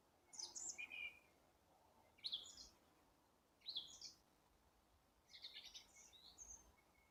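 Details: April birdsong as birds start singing again: four separate short phrases of thin, high twittering notes with quiet pauses between them, over faint steady background noise.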